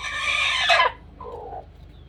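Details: A rooster, possibly warning of something strange or of danger, gives a loud, harsh, raspy squawk lasting almost a second, followed by a softer, lower nasal note.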